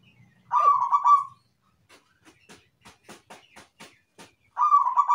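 A Zebra Dove sings: a soft, mellow coo opens the phrase, then comes a quick run of short clicking notes, about four a second, and another coo follows.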